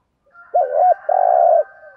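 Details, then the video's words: Spotted dove of the thổ voice style giving a thúc gù coo: one loud phrase of a two-humped hooting note running into a sustained, vibrating, low coo, over a faint steady higher hum. "chim cu gay bài bản. cu gáy thúc gù"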